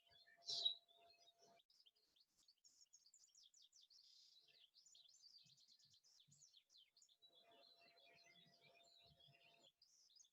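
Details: European goldfinch song in a dawn chorus recording, with a rapid twittering run of high, tinkling notes and a trill. A loud brief chirp near the start, and a faint steady hum.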